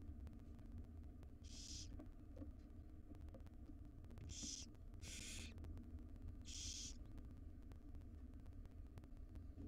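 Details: Wild barn owl chicks, five of them, begging in a nest box while their mother brings breakfast: rasping, hissing screeches lasting about half a second, four in all with two close together, above a constant low droning hum.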